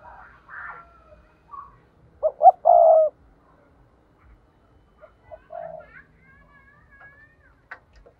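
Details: Spotted dove decoy's 'thúc' urging call for trapping: a loud phrase of two short coos and a long coo near the middle, with scattered quieter coos and faint higher bird whistles around it.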